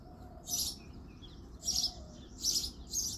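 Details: In February's early morning, a male house sparrow gives four strong, high cheeps at uneven intervals of under a second to a second apart, over a low steady hum.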